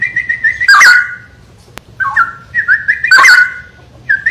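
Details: Song of a straw-headed bulbul: two loud, rich, gurgling bursts of tumbling whistles, each bridged by shorter clear whistled notes, with a single sharp click in between.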